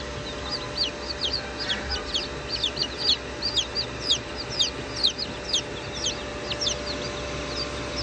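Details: Freshly hatched chicks about five minutes old peeping: many high, sharp, downward-sliding cheeps, several per second and overlapping, over a steady mechanical hum, possibly an incubator.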